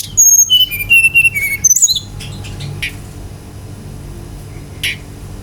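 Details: Brown-chested jungle flycatcher, played to provoke other birds to sing, gives a brisk sequence of sweet whistled notes descending in steps, followed by a slurred high note and a few faint chirps over a quiet hum.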